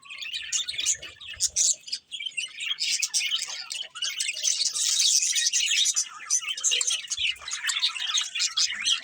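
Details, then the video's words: A flock of budgerigars keeps up an unbroken stream of high, buzzy chattering and twittering, with many voices overlapping. "Cute Budgies Chirping Sounds"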